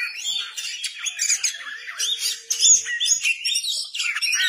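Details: Oriental magpie-robin singing vigorously with its tail spread, a dense run of high chirps, trills and squawky notes delivered almost without pause.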